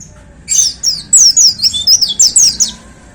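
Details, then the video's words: White-eye kept in a hanging cage, delivering a 'tembakan' burst: about ten rapid, very high, slurred downward whistles strung together in under three seconds, bright and piercing, with only a faint low background hum. "Suara Tembakan Dahsyat Pleci Gacor Paling Digemari Para Plecimania Digantangan"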